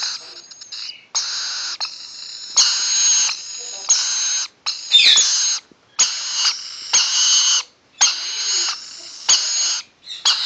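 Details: Rainbow lorikeet (Trichoglossus moluccanus) chicks, almost 7 weeks old, enjoying a scratch, give harsh, hissing rasps, each lasting about a second, repeated in a steady string with brief gaps.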